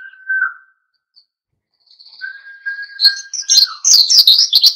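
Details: Oriental white-eye in energetic, wild-style song meant to provoke other birds into singing. A steady mid-pitched whistled tone comes first, then rapid high twittering notes tumble and warble in quick succession over the last two seconds.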